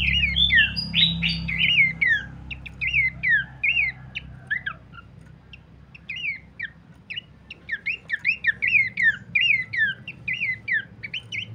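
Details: Pelanduk semak babbler singing, used as a master and lure song for training birds: sharp rapid chirps and short rising-falling whistles in rambling bursts over a low rumbling background hum.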